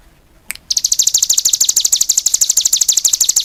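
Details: Cigun singing hard: a single sharp tick, then a sustained high rattle of rapid chip notes, roughly ten per second, continuing to the end.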